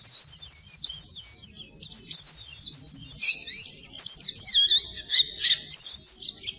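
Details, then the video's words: Oriental white-eye twittering continuously as a training recording for birds that stop singing: rapid, jumbled high chirps and warbled trills, dipping slightly lower midway, without pause. "Suara Burung Pleci Masteran Pleci Full"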